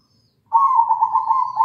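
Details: Zebra dove of local type in full, lively song, one sustained purring, vibrating coo phrase that starts abruptly after a brief silence and holds level, faint high whistle faintly audible behind.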